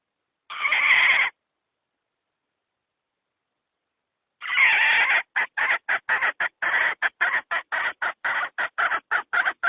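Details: Hen call used in 2020 to lure wild chickens into traps: one drawn-out raspy squawk, a pause, another squawk, then a fast, even train of short clucks.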